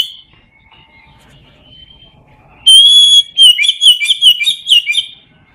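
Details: Oriental magpie-robin, ngeplong song style for training lazy birds to sing: faint thin whistles at first, then a loud clear drawn-out whistle followed by a quick string of bright, bubbling whistled notes.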